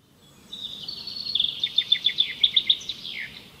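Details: Asian green bee-eater: a high, rolling trill of quick repeated chirps on one pitch, with several overlapping callers and a faint background hiss.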